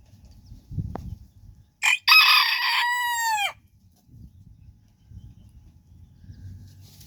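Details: Backyard bantam rooster crowing while hens dust bathe nearby: a brief rough opening burst, then a long, loud, harmonic note that bends downward at its end, one full crow amid low scratching and rustling.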